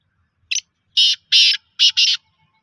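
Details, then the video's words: Loud, clear phrase from a black francolin: a quick high chip followed by four strident, buzzy rasps, the last two close together, delivered in about one and a half seconds. "kala tatter"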